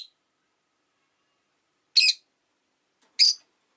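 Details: Rosy-faced lovebird during a quiet afternoon, with two loud, harsh, high chirps about a second apart after a long silence.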